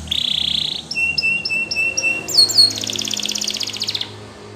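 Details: Rambling song of a Belgian canary: a dense buzzy roll, a row of clipped high notes over a sustained tone, then a bright fast pulsed trill fading out.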